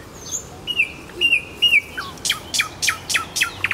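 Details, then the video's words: Nightingale singing in Kuzminki forest park: a few long steady whistled notes near the start, then a run of sharp, loud, repeated clicking strokes falling in pitch, about one every third of a second. "Голос соловья"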